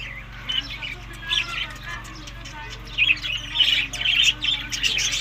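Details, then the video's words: Budgerigars eating summer food between May and June, in Larkana, Sindh: scratchy warbled chirps in uneven bursts, louder and denser toward the end, over a steady low electrical hum. "Budiges Beast Summer Food Eating May to June Good Health Parrot"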